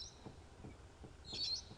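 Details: Brown-headed parrot screeching as it flies past at sunrise in misty African bush in late August: a brief, shrill, high screech with a fainter high note before it and soft regular low thumps underneath.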